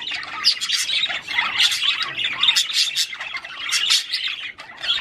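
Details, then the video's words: Male budgerigar singing to stimulate a female to mate: continuous chattering warble, a busy run of high squawks, clicks and chirps with no clear pauses. "تغريد طير البادجي لتحفيز الأنثى على التزاوج"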